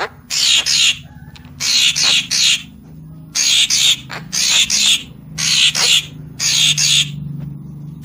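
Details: Papuan magpie-robin used as a lure sound: repeated pairs and triplets of loud, harsh, buzzy rasping bursts, evenly spaced across the recording.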